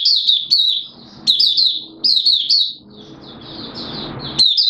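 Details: Mata puteh, a Malaysian Oriental white-eye, recorded in warm humid Singapore on 29 March 2023, 'buka sing' style: short high twittering bursts separated by gaps, with a soft hiss or rustle in the background.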